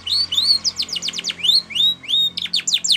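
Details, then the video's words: Training song from a canary: rising whistled slurs mixed with quick descending chirps in a lively, uneven rhythm, with a low steady hum underneath. "Canary Singing Bird Sounds"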